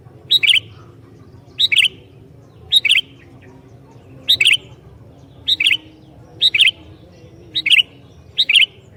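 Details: Vigorous sooty-headed bulbul singing to provoke rival bulbuls, giving eight crisp phrases about once a second, each a high clipped note followed by a rapid warbled pair of chirps, over soft background hum.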